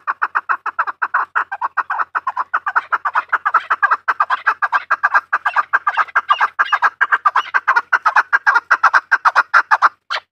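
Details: A long, even train of throaty chuk notes from a farm chukar, more than two per second for ten seconds, steady in pitch and rhythm.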